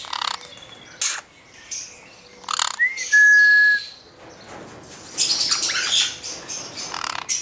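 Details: Hand-reared male black-headed caique making harsh bursts of squawking. A short, pure, rising whistle with a level tail is heard midway, followed by louder rasping calls.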